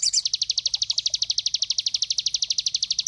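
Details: Cinereous tit (sogon) song used to train songbirds: a brief harsh burst, then a very regular high-pitched trill of crisp pulsed notes, roughly ten per second, sustained for three seconds.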